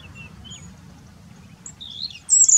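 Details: A Black-necked grebe gives brief, high, thin whistled notes that rise and build toward the end, over a faint low background hum.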